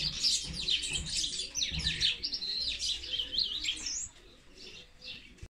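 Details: Sparrows fighting: a loud, busy tangle of high chirps and squeaky chatter for about four seconds, then the noise drops to a faint background before ending abruptly.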